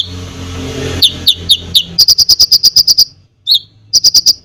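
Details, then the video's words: Song of a konin used to provoke other birds: several spaced descending chirps, then a rapid steady series of about ten crisp high notes, one slurred note, and a closing burst of four. "KONIN GACOR FULL ISIAN BOCOR BUAT BURUNG LAIN CEPAT EMOSI"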